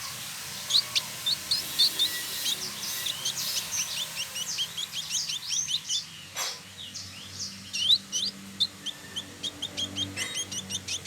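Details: Male village indigobird, caged, from Bandung, West Java, Indonesia: a dense run of high, sharp chirps and short whistled notes, some rising or falling, tumbling along for the whole stretch, with a faint steady hiss behind.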